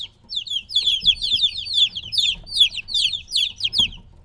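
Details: Three-week-old chicks separated from their mother, peeping loudly: rapid high descending peeps, several birds overlapping in dense clusters at roughly two to three per second, with brief gaps and faint low background rumble.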